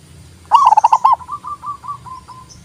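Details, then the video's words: Local zebra dove song, used as therapy to make reluctant doves sing and as a lure: a rapid burst of about six clipped, ringing coo notes, then a softer trailing series of short rolling notes. "TERAPI PERKUTUT MOGOK BUNYI PALING TOP"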